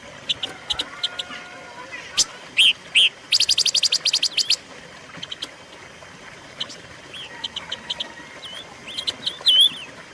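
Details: Silver-eared mesia song from a lure and training recording: scattered thin chirps, a couple of whistled notes, a rapid dry chattering burst lasting over a second, then sparse high notes and a final whistle.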